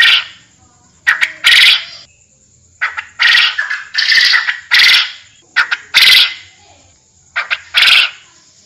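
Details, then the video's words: Forest quail call: a run of loud, grating, clipped bursts in irregular pairs and triplets, filling about eight seconds, with a constant high-pitched tone underneath. "Suara burung Puyuh hutan"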